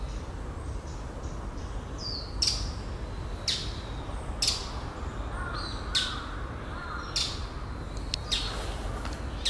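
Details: Bull-headed shrike, one of several recordings made over various years of different birds; harsh, scratchy broadband notes given singly about once a second, with softer chattering between them over a steady background hiss.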